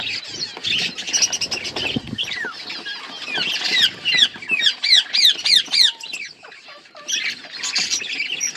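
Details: A colourful budgerigar colony with growing chicks: scratchy chatter leads into a fast run of repeated downward-slurred chirps, about three a second, then dense chatter resumes.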